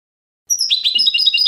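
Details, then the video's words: European goldfinch bursting into a lively, jangling twitter of fast varied notes. "CHANT DU CHARDONNERET"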